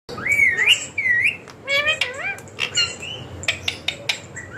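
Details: Pet ring-necked parakeet calling in a talking session: sharp rising and falling whistled notes and harsh squawks, several short bursts over a few seconds, with faint chatter-like noises between.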